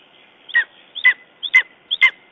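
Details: Four crisp yelping calls, each with a short lead-in note, about half a second apart, come from a Lesser spotted eagle at its nest in Estonia on 14 June 2011, after a raven attack.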